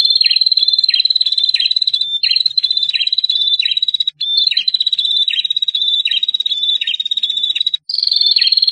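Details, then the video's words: Male and female bar-winged prinias in a long, drawn-out trill. A continuous high, rattling tone is broken by regularly spaced lower, downward-dropping notes about twice a second, with a few short gaps. "Prenjak Jantan Betina | Masih jadi favorit kicau mania.., Ngetirrrr Panjangg..."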